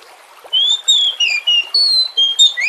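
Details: Oriental magpie-robin song used as a lure to make the bird sing: clear, sliding whistled phrases repeated in quick, even bursts over a steady hiss of flowing water.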